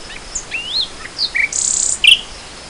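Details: Nightingale singing in spring 2014: varied phrases of rising whistles, short sharp notes, then a fast buzzy trill followed by bright chirps, all high-pitched over a quiet background.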